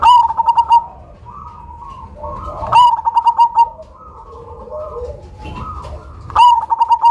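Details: Cemani zebra dove with a big voice and distinctive rhythm, kept as a lure bird, repeats its phrase three times: each is a sharp note and a quick string of rolling coos. Lower cooing from other doves in the gaps.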